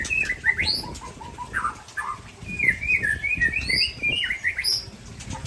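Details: White-rumped shamas, an Ujong Pancu bird and a Tangse bird from Aceh, sparring in song: a run of short bright whistled notes that climbs and dips, with scattered higher squeaks.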